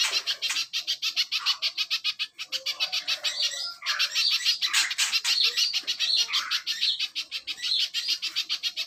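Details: Little spiderhunter song used as a master recording for training songbirds: a fast, relentless stream of sharp, high chipping notes, about three per second, with a few lower squeaky phrases mixed in.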